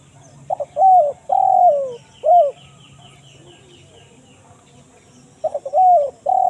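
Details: Repeated coo phrases of a spotted dove in 'kuk 1 mersik' style, meant for calling wild birds in the forest: clipped notes, a long falling coo and a bowed final note, with faint higher chirps and a low hum behind.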